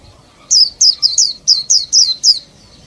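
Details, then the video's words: High, sharp, downslurred chirps from a female Oriental white-eye kept to excite males into song. Eight notes come in a fast, slightly uneven run over quiet background noise. "Chúa khuyên mái - khuyên mái kích trống siêu líu"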